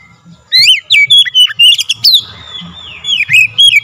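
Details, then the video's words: Oriental magpie-robin song used as a lure to make other birds sing and get agitated: loud, clipped whistled notes that slide up and down, delivered in quick bursts, with a low hum underneath. "SEKALI PANCING KACER LANGSUNG GACOR NAIK EMOSI"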